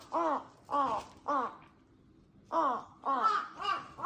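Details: Crows calling noisily in the early morning in spring: harsh, hoarse caws in two bursts, three evenly spaced caws, a pause, then three more, loud and clear against a quiet background.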